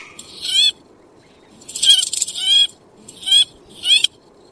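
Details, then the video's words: Nighttime calls of a purple swamphen: four loud, nasal, screeching calls, each rising then falling and lasting under a second, with short gaps between them. "tiếng chim trích ré. tiếng chim đêm."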